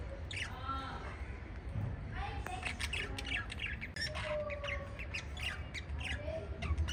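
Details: Pet lovebirds giving a run of harsh squawks and short chirps at varied pitches through the whole stretch, some rising and falling, over a steady low hum.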